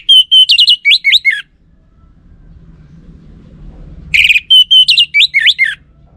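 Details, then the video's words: Orange-headed thrush lure song meant to make males answer: two loud phrases about three seconds apart, each a rapid run of whistled notes with sharp upward and downward slurs, and faint low background hum between them. "Pancingan Burung ANIS MERAH"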